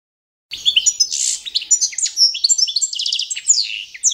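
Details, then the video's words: Goldfinch of the form Carduelis carduelis balcanica singing to competition standard: begins after half a second with a harsh buzz, then tinkling high notes and a quick trill, plus descending whistles. "goldfinch song - World Championship"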